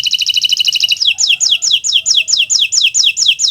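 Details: Canary of the Kenari Nusantara type in full 'gacor' song for training birds: a brief fast pulsed trill, then evenly spaced sliding whistled notes falling in pitch, about four per second.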